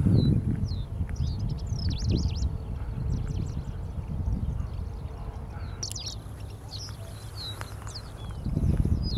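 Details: Middendorff's grasshopper warbler singing from atop a flowering Angelica ursina plant in June 2022 gives short, high, chirping phrases that repeat quickly. Heavy low wind rumble partly masks the song.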